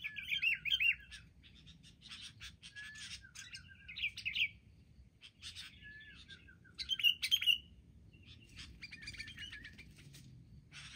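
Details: Sooty-headed bulbuls, wild, ganging up in an attack during trapping: short phrases of bubbly, falling chirps in repeated bursts every couple of seconds, with sharp rustling clicks between them.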